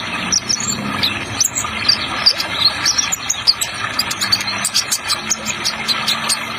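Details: Sunbird known as Kolibri Ninja giving its trotol song, with an added water sound: quick, high-pitched tweets and sharp upslurred notes in rapid succession over a rushing-water background.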